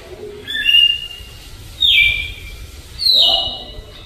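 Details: Campo Troupial, a caged Alagoano bird in the slow flute style of song, giving three clear whistled phrases about a second apart, each a slurred, slightly falling fluted note, with faint low room noise behind.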